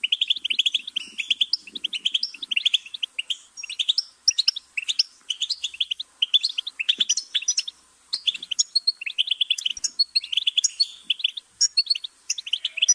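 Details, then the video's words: Goldfinch singing a long, unbroken stream of rapid, high twittering notes, bright chirps and short trills tumbling together with barely a pause, plus a faint low rattle during the first few seconds. "Goldfinch's Singing"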